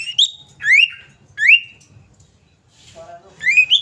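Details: Female common iora calling a male: clear whistled notes sliding upward, repeated about every 0.7 seconds, with a short lower warbled phrase before a last rising whistle.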